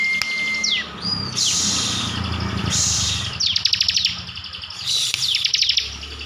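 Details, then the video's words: Kept Bar-winged prinia from Tegal, Central Java: a level whistle falling away, then separated bursts of bright high ticking trills in 'tembakan' style over a low background hum. "ciblek gacor full tembakan || ciblek gacor mantap...."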